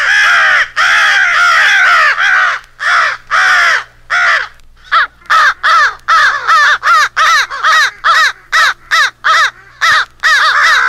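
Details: A compilation of American crow calls assembled as a crow/owl rally call for crow hunting: loud, harsh, rasping caws in rapid, excited bursts, at times more than two per second, with no other sounds.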